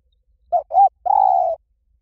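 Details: Liw Tan style song of a spotted dove, meant to lure a dove and train it to sing back: a short coo, a rounded second coo, then a long, even, low-pitched coo in clean silence.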